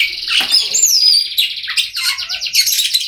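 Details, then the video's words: Oriental magpie-robin singing, a recording meant to get mute magpie-robins to start singing; dense rapid trilled notes with a clear high whistle gliding downward, followed by fast rattling phrases. "Kacer Bisu, Dijamin Bunyi Setelah Mendengarkan Suara Kacer Ini"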